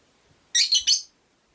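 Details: Captive rosy-faced lovebird, one of five caged by a window, gives a loud shrill three-part chirp, harsh and ringing, lasting about half a second.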